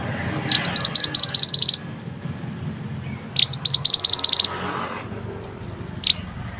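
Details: A mantenan, or pied bushchat, on a training recording gives two quick strings of bright high chirps about a second long. A single sharp chirp follows near the end over a steady background hum.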